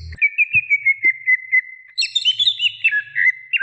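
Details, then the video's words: Female greater green leafbird calling for the male: steady repeated whistles on one pitch, then a busier warble of looping, higher whistled notes. "Suara Cucak Ijo Betina Memanggil Jantan"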